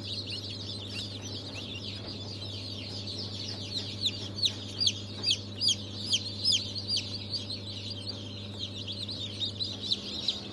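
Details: Newly hatched chicks of Brahma, Fizan, Australorp and Legbar breeds, hatched 3 March 2023, cheep in a busy chorus, with clearer, louder down-slurred peeps in the middle and a constant low hum underneath.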